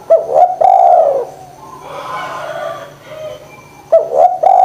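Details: Spotted dove calling energetically, recorded as a lure for doves reluctant to call: low hooting coos in short pairs, a clipped note then a longer drawn-out one, with a pause of softer, blurred sound between the opening and closing pairs.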